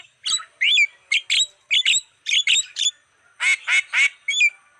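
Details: Black-winged starling lure recording, used to attract wild birds: harsh, broad squawking notes with sharply bending whistled overtones, given in short bursts about every half second, ending with three rasping chatters and a final whistle.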